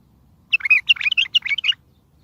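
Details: Single bulbul song phrase, used as a lure to make distant bulbuls answer for trapping: about ten quick, slurred, whistled notes tumbling up and down in just over a second.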